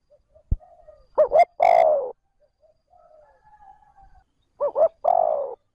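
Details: Spotted dove decoy calling in smooth trơn ròng style to stir wild doves: two quick hollow hooting notes then a long falling coo, repeated twice, with a sharp click and faint low cooing between.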